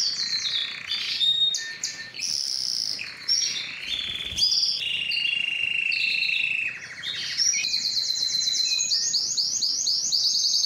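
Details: Varied Belgian canary song for encouraging females to mate: whistled notes and buzzy rolls at shifting pitches, a brief break, then quick rising trills repeated to the end.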